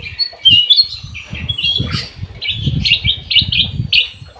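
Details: Golden bulbul singing in an aviary: a fast series of short, bright chirped notes and brief whistles, closely spaced and repeated in quick bursts, with soft low thumps underneath.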